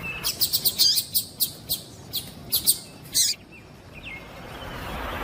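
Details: Calls of a female double-collared seedeater meant to make the male sing: a rapid series of high, clipped chirps, slowing into spaced notes, then quiet hiss.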